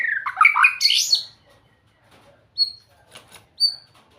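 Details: White-rumped shama singing sweetly: a rich tumbling phrase of swooping whistles rising in pitch, then a pause and two isolated thin high whistles.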